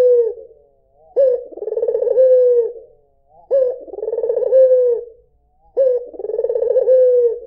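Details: A white Barbary dove repeats its coo three times with short silent gaps, each phrase low and hollow: a brief upward note, a rapid throbbing roll, then a slow descending tone.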